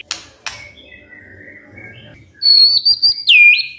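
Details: Morning song of a magpie-robin, played so that quiet birds answer: two sharp clicks and faint notes, then loud, pure whistles holding high before a swooping, looping final note.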